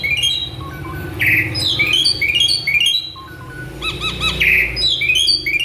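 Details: Agitated male Asian pied starling pours out a dense, varied song of mimicry, with fast whistled phrases, buzzy swoops and a repeated quick arching note, sustained loudly throughout.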